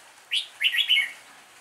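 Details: Improvised song of a red-whiskered bulbul: a clear upward-sweeping note, a brief pause, then a lively burst of bubbling, whistled notes lasting about half a second, with quiet background.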